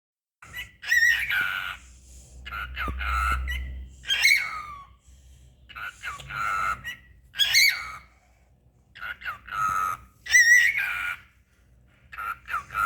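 A cockatiel sings in bursts of whistled, warbling phrases mixed with chattering, speech-like notes.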